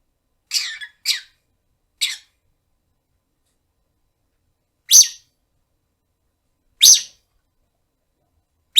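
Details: Pet rosy-faced lovebird, aged one year nine months, calling for its owner indoors: sharp, high, shrill chirps, three quick ones and then louder single shrieks about every two seconds, in a quiet room.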